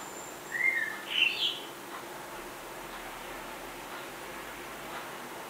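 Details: Female common blackbird singing in Budapest on 11 May 2020, filmed from a window hide: one brief fluted warbling phrase, a low whistled pair of notes followed by higher twittering notes, then quiet background hiss.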